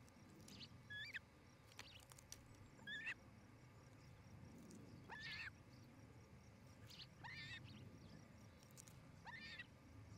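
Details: Osprey at a Charlo, Montana nest, nest-camera audio from 07-08-2018 near 17:00: scattered short whistled chirps early, then three louder, harsher chirping calls spaced about two seconds apart over a low rumbling background.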